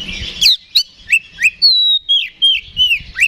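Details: Oriental magpie-robin, kacer, with provoking ngeplong fighting song: a spaced series of sharp, downward-sweeping whistles and one long level whistled note, about three per second.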